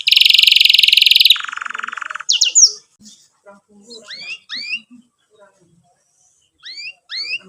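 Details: Canary song used as a lure to teach young canaries to sing: a loud buzzy rapid roll, then a lower trill, then short rising whistled 'cuit' notes given in pairs with pauses between.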